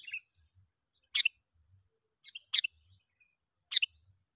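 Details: Sooty-headed bulbul lure call meant to draw other bulbuls in: short, bright chirped bursts, each a quick cluster of notes, repeated roughly every one to one and a half seconds with silence between.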